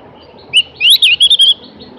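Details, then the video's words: Javan grey-throated white-eye singing a short bright phrase: a high whistled note followed by a quick run of rising and falling warbled notes, clear over a quiet background. "kicoan merdu burung Opior jawa atau cak gentong"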